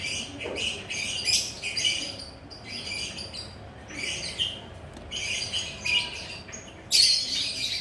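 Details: Lovebird sitting relaxed, chattering: short clusters of shrill, raspy chirps separated by quieter gaps, with a sharp loud squeak near the end, over low background hum.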